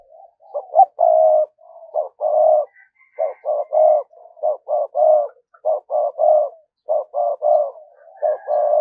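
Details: Decoy spotted dove giving a rapid, continuous 'thúc gù' cooing sequence to attract wild doves. Low hollow notes come in tight phrases, each short pair ending in a longer held coo, repeated about every second, with faint high chirps behind.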